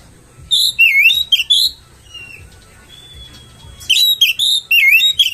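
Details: Oriental magpie-robin provocation song: two bursts of loud warbled, looping whistles with buzzy overtones, separated by a near-silent gap holding a thin faint whistle.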